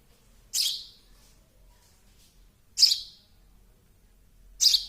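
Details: A baby sparrow's high, piercing chirps, three in under five seconds, each a short burst that trails off quickly; quiet background otherwise.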